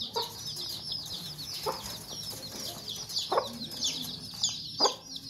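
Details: Short, sharp clucks from a Sussex hen protecting her chicks, about four in five seconds, with the chicks' high, steady peeping running underneath.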